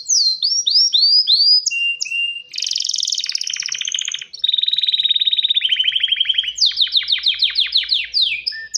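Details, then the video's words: Male canary ready to breed, singing to call a female for mating: a varied song of rapid sweeping whistles, a buzzy rattling trill, a long fast rolling trill, then repeated descending swept notes. "تغريد كناري ومناداة للتزواج"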